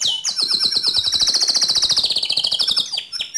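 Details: Canary singing to provoke another canary: one long high rolling trill of rapid pulses lasting most of three seconds, gently falling in pitch near the end.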